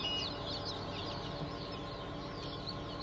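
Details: Chicks just hatched on 20 June 2023, Cream Legbar, Sussex, Sultan and Fizan breeds, giving rapid high sliding peeps that overlap without pause, partly buried under a loud steady machine-like hum.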